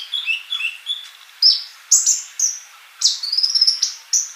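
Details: Sunbird giving soft, lower twittering notes at first, then louder sharp high chirps and a quick trilled series of bright notes.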